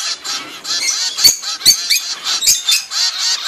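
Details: Young zebra finches, only weeks old, begging as the mother feeds them, giving a nonstop buzzy, high-pitched chatter of overlapping nasal squeaks, pulsing a few times per second, with occasional clicks.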